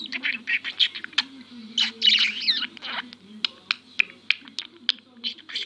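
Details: Talking budgerigar kept as a pet, known for copying coughing, sniffing and Turkish words, gives buzzy chatter with a burst of rising and falling warbles, followed by sharp clicky notes in quick irregular succession.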